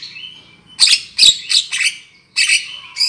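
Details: Black-winged myna lure sound for trapping: a thin whistle, then a burst of loud harsh chattering notes, a brief pause, and more grating calls with whistled overtones.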